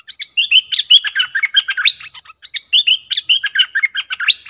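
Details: Dok Taeng bulbul, a bird kept for song, singing in a style used to teach young birds. Two rapid warbled phrases of bright whistles, slurred up and down, follow each other with a short pause between them.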